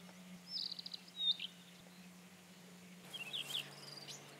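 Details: Rufous-tailed scrub robin singing in a quiet setting: a brief run of high, thin trilled notes, then a sharp whistled slur. A second short high phrase follows after a pause, over a low steady hum.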